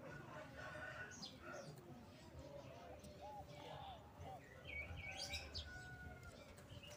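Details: A Bangkok zebra dove gives soft, rolling low coos in short bursts as a lure call to draw rival doves, with higher chirps from other small birds and a steady noisy background.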